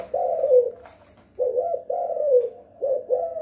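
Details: Spotted dove (tekukur, derkuku) at home in a 'kuk gantung' lure-call style: loud, mellow hooting coos, each phrase a dipping two-part note, repeated in a rolling sequence with short pauses.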